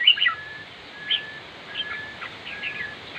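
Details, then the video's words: Red-whiskered bulbul song: a loud burst of chirped notes at the start, then quieter scattered phrases, with a long even whistle-like tone held several times in the background. "chim chào mào diab kuam lauj quaj zoo heev"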